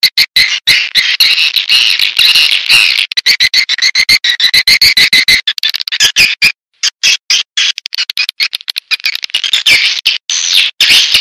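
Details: Swiftlets' attraction call: continuous shrill, buzzy twittering in rapid bursts, broken by abrupt cuts and a few silent pauses.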